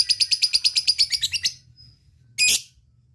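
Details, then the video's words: Lovebird calling to companions in a ngetik ngekek style: a fast train of sharp, high ticking chirps, about a dozen in a second and a half, then a pause and one harsh, noisy burst. "suara lovebird ngetik ngekek dan memanggil kawan"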